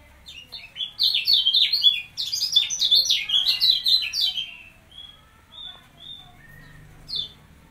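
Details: Kecial kuning (white-eye) kept in a cage and placed next to another bird to build its nerve, giving a lively high chattering song of quick slurred notes for about four seconds, followed by scattered thin whistles.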